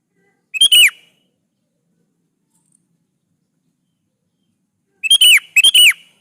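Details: Sooty-headed bulbul singing energetically, used as a lure to draw other bulbuls into answering and to call rivals: one short bright whistled phrase, a long silence, then two more loud bubbly phrases close together.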